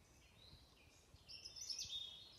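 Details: Wild birds singing in the woods at Ashford Castle in the morning: faint high thin whistles and a bright twittering burst rising toward the end, with soft low rustling in the background.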